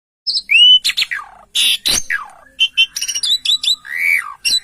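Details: Javan pied starling, local Javan type, in full vigorous song: quick run of bright whistles, a rising-then-falling slur, buzzy rasping notes and chattering chips packed closely together, no other sounds.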